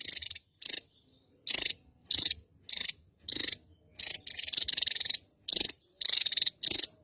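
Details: Javan tesia, endemic to Java, singing actively: a run of loud, harsh, buzzing bursts, some drawn out and pulsing, given at an uneven pace of roughly one or two per second.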